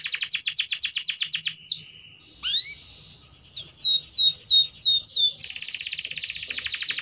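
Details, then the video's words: Gacor canary song meant as therapy for a quiet canary: a quick high trill, a short pause with a rising slurred note, then spaced downslurs, ending in a dense rapid buzzing roll. "Pancingan Suara Burung Kenari Gacor || Cocok Untuk Terapi Kenari Malas Bunyi"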